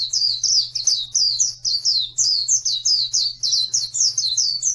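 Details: Oriental white-eye song for training birds that have gone quiet. Brisk, high, tinkling downslurred notes come in quick bursts, roughly four a second, with a steady low hum underneath.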